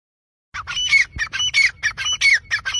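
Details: Grey francolin calling: after half a second of silence, loud harsh squawking notes repeated in quick rhythmic bursts, each with a sharp whistled overtone, about four bursts a second.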